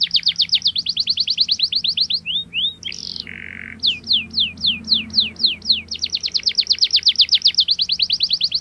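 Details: Singing canary, a strong rolling song meant to press a rival and train young birds to sing: fast high trills, a short squawky break with a harsh buzzy note, then a series of descending slurred whistles before the rapid trill returns.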